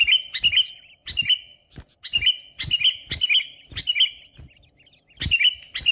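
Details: Sooty-headed bulbul song meant to attract rival birds for trapping: short sharp phrases with a clear ringing note, repeated roughly every second amid clicking knocks.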